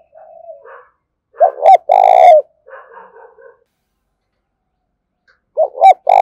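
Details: Decoy spotted dove calling eagerly to attract wild doves. A soft coo, then a loud stuttered phrase ending in a long, rich, descending coo, fainter rough calls after it, and a second loud phrase starting near the end.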